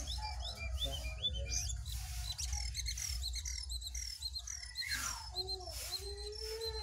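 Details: Jongkangan singing as a wild bird faces off against a caged one. The song is a varied run of short chirps and whistled slurs, some falling steeply, over a constant low mechanical hum.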